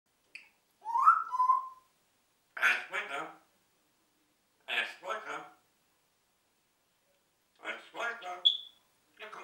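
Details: A talking parrot named Rudi repeats a short spoken phrase, "es regnet", in several raspy, speech-like bursts, with a few clear whistled notes mixed in and quiet pauses between.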